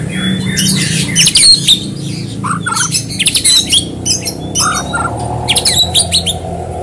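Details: Vigorous singing of a white-rumped shama, used to coax other birds to sing fast: high, scratchy chattering bursts mixed with brief whistled slides and lower throaty notes, delivered in clustered phrases.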